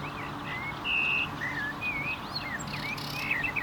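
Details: Common nightingale singing varied whistles, including one long pure high note followed by looping slurred phrases and quick twisting notes.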